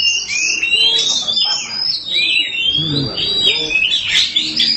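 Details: Oriental magpie-robin of the black kacer form, singing in gacor fashion: a continuous stream of high, sweet whistles and quick twittering trills, loud and varied, with faint human talk in the background.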